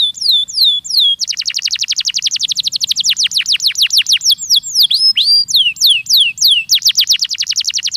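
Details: Canary song intended to get young canaries singing, with opening curved whistles, a long fast trill of down-sweeping notes, looping swoops in the middle and a renewed rapid trill at the end.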